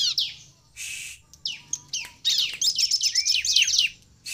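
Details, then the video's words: Bar-winged prinia singing to prompt other prinias to answer: scattered sharp high chips and downslurred notes that build into a rapid, buzzy chattering run. "SUARA CIBLEK GACOR INI AMPUH MEMANCING CIBLEK LAIN LANGSUNG BUNYI DAN GACOR"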